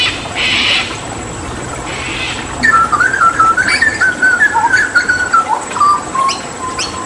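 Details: Hooded butcherbird, Papuan endemic mimic, singing with water therapy: two short splashy hissing bursts, then a long flowing series of whistled notes wavering between mid and higher pitch, ending in lower fluted whistles.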